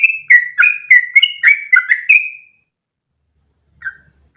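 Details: Sooty-headed bulbul in training song for other birds: a burst of quick chirped and whistled notes, alternating low and high, ends with a drawn-out whistle after two and a half seconds, then silence and one faint note.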